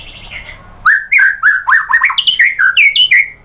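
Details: White-rumped shama (murai batu) song used as a lure to provoke singing of 'tembakan' material: a soft warbled opening, then a fast series of loud, clear whistled notes, each sliding up or down and repeated in quick succession.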